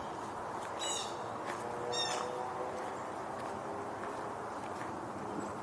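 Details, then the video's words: Two blue jays give brief, harsh, nasal calls about a second apart in late May, over a steady roar of wind or distant traffic. "A couple of blue jays vocalizing."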